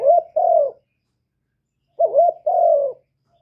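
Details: Cooing of a spotted dove kept for luring wild doves. Two separate phrases, each a short hooked note followed by a longer, gently falling coo, with a faint low hum beneath and silence between the phrases.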